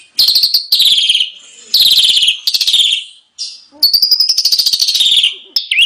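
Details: Asian pied starling song used as a training recording for other birds: loud, bright whistled and chattering phrases in dense bursts with short gaps, some buzzy rattling notes, full of varied trills.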